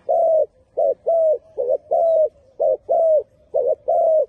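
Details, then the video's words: Spotted dove song: low, soft hooting coos, short notes alternating with longer drawn-out ones that fall slightly at the end, about nine notes in four seconds, against a quiet background. "Very Good Dove Singing 😱❤️ លលកម៉ាលេសម្លេងល្អណាស់"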